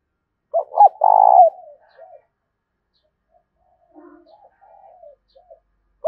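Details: Spotted dove coo for spurring a decoy bird to call. A loud double note and a long, pulsing coo are followed by a few seconds of quiet, soft wavering murmurs before the next phrase begins.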